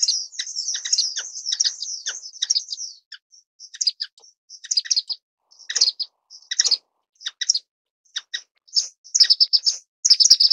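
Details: Estrilda melpoda, the orange-cheeked waxbill, with a long high buzzy trill at first, then scattered sharp tweets and brief squeaky bursts over ten seconds, becoming denser toward the end.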